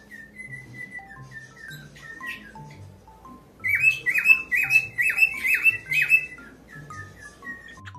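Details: Cockatiel giving a quick run of about five harsh, bright chirps in mid-clip, each with a rising-falling stroke, over a soft steady backing of melodic music that plays alone before and after the burst.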